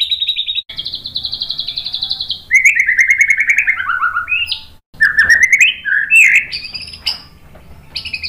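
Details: White-rumped shama giving long trilled whistles, then a descending run of rapid warbled notes, followed by mixed sliding whistles and sharp chips in a continuous varied song.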